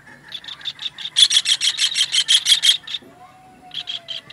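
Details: Kingfisher heard on a songbird-training master track: strong series of quick, harsh high notes repeated about three per second, ending abruptly, followed by a steady lower whistled tone and a few more notes.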